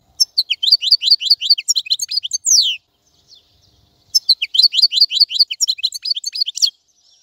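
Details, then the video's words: Goldfinch song in two long phrases of rapid, bright, tumbling twitters and slurred notes, separated by about a second and a half of silence. "تغريد طائر الحسون | فيديو رائع لتغريد الحسون"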